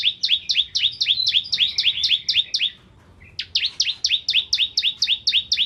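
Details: Bar-winged prinia, crystal variety, singing as a tutor for magpie-robins: quick, continuous runs of paired falling chirps, about four a second, broken once by a short pause.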